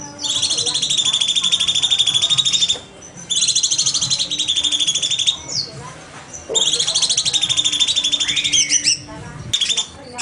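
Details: Cucak cungkok bulbul singing in the rapid-fire 'nembak' style, a master recording for training other songbirds: three long, dense, buzzy pulsed trills high in pitch, each about two and a half seconds, separated by short pauses, the last ending in rising chips.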